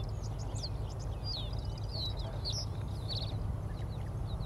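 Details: Middendorff's grasshopper warbler singing atop an Ezo-shishiudo (Angelica) plant in June 2022: quick, high chirps and short slurred whistles in bursts, over a steady low rumble of wind or distant traffic.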